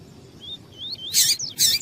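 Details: A female double-collared seedeater, calling to stimulate a male, gives faint thin upslurred whistles. Two loud, rasping high chips follow in quick succession.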